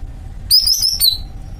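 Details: A greater green leafbird in a cage gives one brief, sharp phrase of very high, warbled whistles lasting under a second against quiet low background noise.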